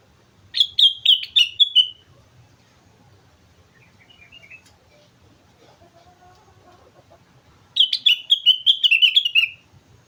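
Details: Sooty-headed bulbul, known locally as kutilang, recorded on Mount Slamet in a lively singing state: two bursts of rapid bright chirping notes, each about a second long and falling slightly, separated by a quiet stretch with faint distant calls.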